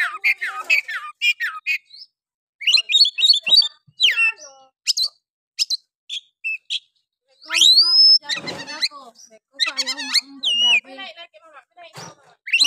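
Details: Energetic oriental magpie-robin song played to rouse silent males: dense bursts of scratchy warbles, clear rising whistles and sharp chips with brief pauses, plus one rough noisy burst midway.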